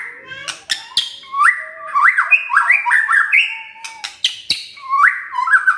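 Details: Morning song of a White-rumped shama meant to make a quiet shama start singing: fluid whistled phrases rising and falling in quick sequences, with sharp clicking notes between them.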